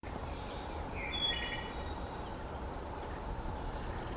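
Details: A Wood Thrush sings in woodland at Concord, NH, on 18 May 2020: a few clear whistled notes, then a high, airy trill, over a low rumble, with occasional Chestnut-sided Warbler song, American Robin cluck and Baltimore Oriole note.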